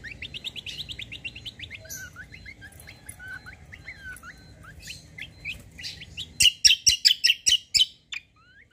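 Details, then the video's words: Kecial (white-eye) lure song meant to prompt replies from other birds: a fast run of high rising whistled notes, some sliding phrases, then loud clipped chips repeated about every quarter second at the end. "KECIAL KOMBO BAHAN LANGSUNG NYAUT"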